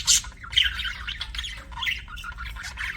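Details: A pet budgie's happy chirps: a sharp squawk opens, then a steady run of soft scratchy warbling notes, roughly two a second.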